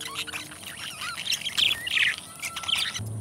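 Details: A pair of pet budgerigars singing together: rapid, busy warbling chatter of squeaky chirps, clicks and short rising whistles, densest in the middle, ending abruptly with a low hum beneath.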